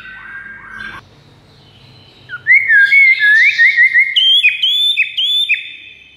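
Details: Song of a white-rumped shama, played as a master to attract a rival bird: a brief opening phrase, a pause, then a wavering rising whistle and a series of bright, clipped high whistles.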